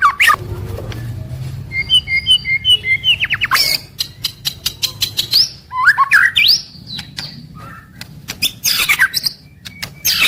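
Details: Continuous daily song of a white-rumped shama: fluting whistled notes, quick runs of clicks and harsh rasping bursts, varied phrases packed closely together over low background hum.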